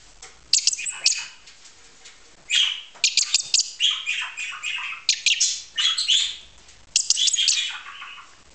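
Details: Budgerigars, heard but not seen, chatter near a hand-reared young starling on its first outing: bursts of rapid, scratchy warbles and high chirps, with brief pauses between runs of a few seconds each.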